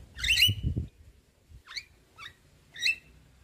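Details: Harsh, rasping bursts and short upward-sweeping squeaks from a jalak kebo (Javan myna), separated by pauses, with some low rumbling noise at the start; played to stimulate a myna that has gone quiet.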